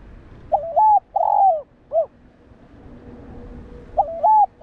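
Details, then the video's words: Spotted dove coos to stimulate other doves for training. One complete phrase, a hitched opening note, a long descending coo and a short final note, followed after about two seconds by the start of the next phrase. "Cu gáy kích bổi / chim cu gáy kích bổi gáy cả ngày/tiếng chim cu đất gáy kích bổi tập mồi hiệu quả"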